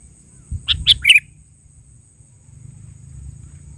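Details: Sooty-headed bulbul (kutilang) calling actively, original recording: one brief phrase of three or four quick, bright chirping notes, the last slurred downward, over a faint low rumble.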